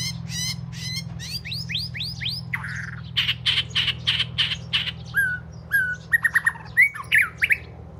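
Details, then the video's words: Southern Thai binla, the Oriental magpie-robin, the first one kept at the house, sings loudly: rapid rising sweeps, buzzy bursts and clear whistled notes in a varied, fast-changing phrase, with a steady low hum underneath. "นกบินหลา ( ใต้ ) ตัวแรกของบ้าน"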